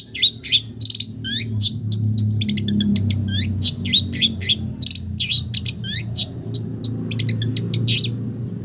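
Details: Long-tailed shrike delivering song with imitations of village birds: lively mixed chirps, whistled slurs and quick twitters over a low background hum.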